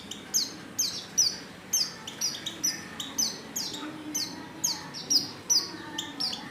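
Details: Female Oriental white-eye calls used to lure males into singing; rapid high, piercing downslurs, frequently doubled, in a continuous stream over quiet background noise.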